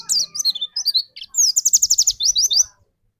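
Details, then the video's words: Lure white-eye for triggering another bird's song: high sliding whistles followed by a fast, evenly spaced trill of bright notes, about a dozen in quick succession. "burung pleci pancingan di jamin pleci anda cepat nembak"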